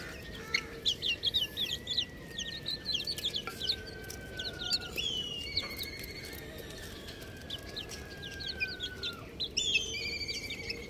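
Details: Buff chicks chirping: a dense flurry of short, high, piercing peeps repeated rapidly, mixed with longer thin whistles that slide slowly downward, over a steady low hum.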